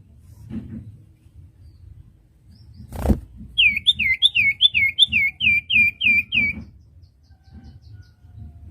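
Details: Common iora on a training recording for untrained young birds: a rapid run of about ten bright hooked, downslurred whistles in three seconds, with a soft thump just before and faint low rumble beneath.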